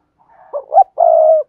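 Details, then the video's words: Spotted dove cooing in the thúc gù style used to train newly caught birds: a faint lead-in note, two quick hollow notes rising slightly, then a long, steady, purring low coo, in silence. "tiếng chim cu gáy thúc gù dùng luyện tập cu bổi mới gáy theo mỗi ngày"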